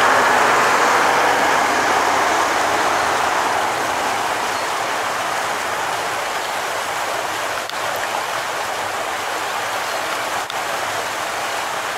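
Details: Only a steady, broad rushing noise like rain, running water or passing traffic is heard, with no animal calls.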